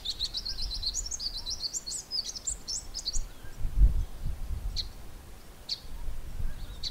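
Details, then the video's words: A male Greater Double-collared Sunbird gives a rapid, high-pitched, swizzling, warbling song for about two seconds, then sparse sharp 'chip' calls, over low wind rumble. "Greater Double-collared Sunbird male making the 'chip' call and singing the warbling song"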